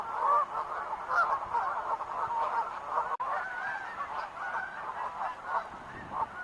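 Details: A flock of wild geese gives a steady chorus of nasal honks and short yelps, overlapping continuously with a brief dropout partway through.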